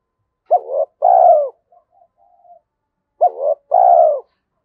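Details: Spotted dove in the 'thổ' voice, 'Thúc Đấu' style, described as suited to the forest for trapping outings. Two matching coo phrases come about three seconds apart, each a short hooked note and a long falling coo, with soft murmurs between.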